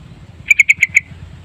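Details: Yellow-vented bulbul song used as a lure: a quick burst of five bright, evenly spaced chirping notes at a steady pitch, packed into about half a second, over a faint low hum.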